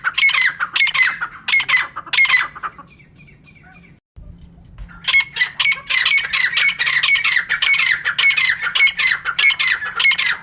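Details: Female francolin (teetar) call, used for trapping birds: rough grating squawks in fast repeated bursts, a brief silent break after a few seconds, then a longer unbroken series of the same calls.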